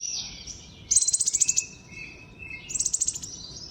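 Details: Common iora singing in the wild in a rapid trotol style: two bright, rattling high-pitched bursts of quick repeated notes a couple of seconds apart, linked by thin buzzy whistles.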